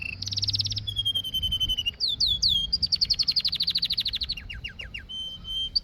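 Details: Canary song with a high buzzy trill, a level whistled tour, a run of sharp downslurred notes and a rapid bouncing trill, followed by a few scattered whistles.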